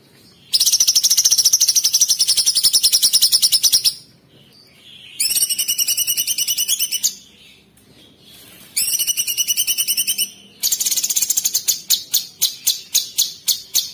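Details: Sooty-headed bulbul (cucak cungkok), 'tembakan kristal' style: long high buzzy trills in three bursts separated by short pauses. These are followed by a series of distinct sharp chips spaced about a quarter second apart.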